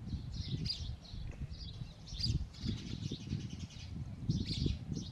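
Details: Nest scene with a male sparrow and two females: busy, overlapping chirps continue almost without pause, partly masked by a strong low rumbling background noise.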